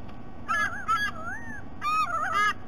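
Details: Young sea eagle returning to its nest after resting, filmed by a nest camera at Sydney Olympic Park, Australia, on 3 November, gives repeated wavering, nasal squeals in two bursts, each sliding up and down, over a steady low hum.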